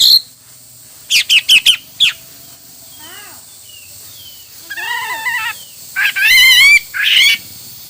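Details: Hwamei in varied song: a quick run of bright repeated whistles, then softer arched, slurred notes, ending in loud, rich warbled phrases.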